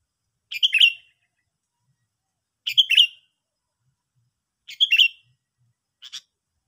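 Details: Sooty-headed bulbul calling repeatedly: short bright two-part chirping phrases spaced about two seconds apart, three full phrases and a shorter fourth, in otherwise quiet surroundings.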